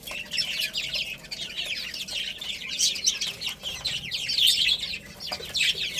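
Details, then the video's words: Little chicks at play and feeding: a crowd of high, thin chirps sliding downward, mixed with short broad rustling or tapping bursts among the birds. "Cute Little Chicks Chirping Sounds"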